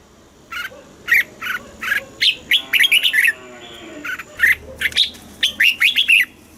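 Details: Red-whiskered bulbul, caged in Thailand, singing its southern master-style song to excite other birds: two series of loud, liquid whistled notes building into fast jumbled warbling, with a faint low hum.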